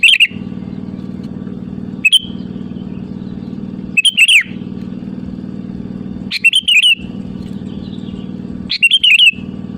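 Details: Sooty-headed bulbul calling rivals, used as a lure: five quick rising-and-falling whistled phrases at uneven intervals of about two seconds, with a steady low motor-like drone throughout.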